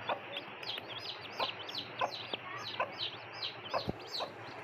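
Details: Newly hatched chicks with their mother hen after hatching peep steadily in high, thin, down-slurred notes, about two each second, while the hen gives softer low clucks underneath.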